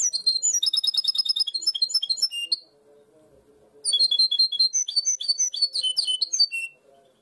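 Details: European goldfinch hybrid, a mule singing a blue tit style song known as "primaveras", prized in Barcelona; fast bright repeated high tinkling notes in long bursts, a pause of about a second, then another rapid sparkling run.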